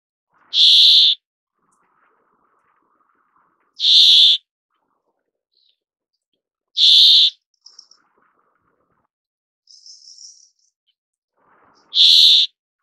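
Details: Brambling (Fringilla montifringilla) giving four loud, rasping, nasal buzzes, each about half a second long and repeated roughly every three to four seconds, with faint high chips between them.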